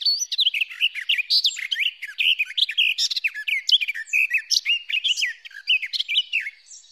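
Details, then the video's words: Amplified song of a garden warbler: a fast, unbroken, bubbling warble of rich, mid-to-high notes that tumble on without pause for the whole seven seconds. "Canto del Beccafico"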